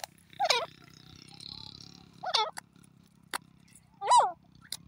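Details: Grey francolin, known locally as teetar, calling; loud, sharply sweeping notes are spaced about two seconds apart against a quiet background.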